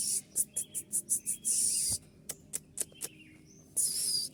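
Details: Kolibri ninja (purple-throated sunbird) in shrill, rapid 'tembakan' shooting-style song, used as a training recording for caged birds: quick series of very high, sharp pulses, then sustained buzzy high trills, a few isolated chips, and a final shrill trill.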